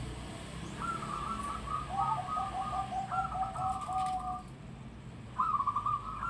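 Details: Loud local zebra dove song: rapid trilled cooing phrases, with a second, lower rolling line overlapping the first for a few seconds before a fresh high burst near the end; steady low rumble underneath.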